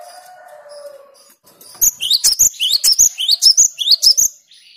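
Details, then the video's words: Cinereous tit, locally called gelatik batu or wingko, singing loud and clear to stir rivals. A faint low hum fades out, then a brisk series of rising whistles alternates with shrill high notes for about two and a half seconds. "Suara Gelatik Batu/Wingko Gacor Jernih bikin emosi LAWAN"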